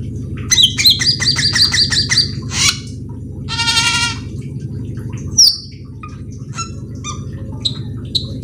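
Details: Cucak keling singing nonstop with full varied filler, used to lure other cucak keling into singing: buzzy rattling trills, a rapid harmonic stutter and sharp chips, over a steady low hum.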